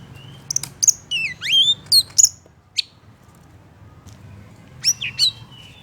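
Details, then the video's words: Oriental magpie-robin song used to provoke a rival male: a burst of quick swooping whistles and sharp clicks, a lull, then a few more rising and falling whistled notes. "KACER MANAPUN BAKAL EMOSI DAN NGAMUK NGAMUK SETELAH MENDENGAR KICAU KACER INI"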